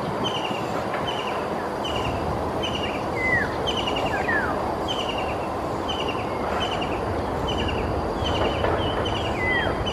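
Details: White-throated kingfisher in Singapore calling loudly at dusk while perched on a branch; short high notes repeat about twice a second, with occasional downward-slurred whistles, over a constant heavy rumble of traffic.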